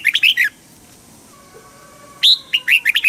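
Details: Red-whiskered bulbul song in the southern master-pattern style, Thailand, used to stir up birds and teach young ones. A rapid burst of four chirpy whistled notes, a quiet gap of nearly two seconds, then a longer lively phrase.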